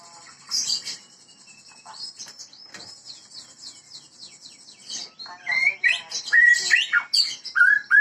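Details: White-rumped shama of the Medan type, kept in a breeding setting, singing gacor: quiet scratchy chips at first, building to loud, clear rising and falling whistles near the end.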